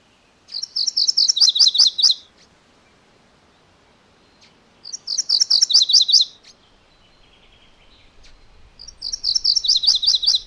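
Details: Three song phrases from a MacGillivray's warbler, spaced about four seconds apart. Each is a rapid, high string of repeated chirpy notes ending in lower doubled syllables, with faint background hiss.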